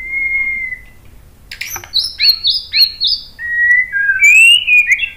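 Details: Murai batu, or white-rumped shama, singing to prompt other birds: a long level whistle, a pause, then bright repeated high double notes and warbled whistles.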